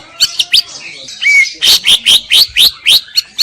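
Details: Greater green leafbird song used as a master recording for training: a slurred whistle, then a rapid run of sharp upswept chirps at about four per second.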